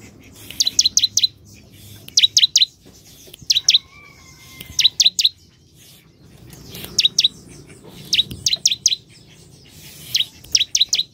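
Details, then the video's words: Energetic bar-winged prinia repeating quick triplets of sharp, high descending chips about every one and a half seconds, with a faint thin tone heard once in the background. "Ciblek gacor"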